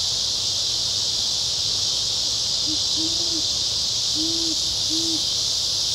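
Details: Male great horned owl hooting in Forest Park, St. Louis, Missouri, USA, on 26 August 2019; four low, soft hoots in two pairs, a short note then a longer one, set against a loud, steady insect chorus.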